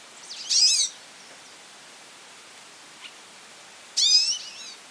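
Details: Goldfinch calling a lot: two loud, high, buzzy twittering bursts about three and a half seconds apart, each with fast slurred notes, with a faint chip between them in a quiet background.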